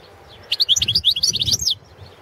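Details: Balkan goldfinch competition song from the 2017 world championship, one dense phrase of quick, high, tinkling twitters and buzzy slurs lasting just over a second, with a low rumble underneath.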